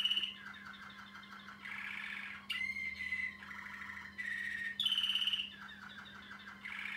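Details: Waterslager Malinois canary, a male older than a year, singing a varied sequence of high trills, deep bubbling water-like rolls, clear held whistles and quick falling notes, each tour lasting about a second; low background hum.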